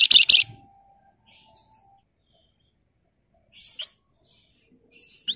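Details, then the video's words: Flamboyan bird singing rapidly as a lure ('pancingan'): a loud opening burst of piercing, high chips, a long silent gap, then two shorter trills of thin, sharp notes ending in a rising flick. "Burung Flamboyan Gacor Emosi Ngebren Rapat Nyerecet Cocok buat Pancingan"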